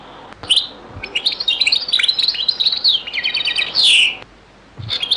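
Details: Old recording of a European goldfinch giving Beni Messous 'les avocats' zaboka song: a continuous fast, liquid twitter of high tinkling notes and rapid trills that ends in a ringing buzzy flourish, then a brief pause and restart.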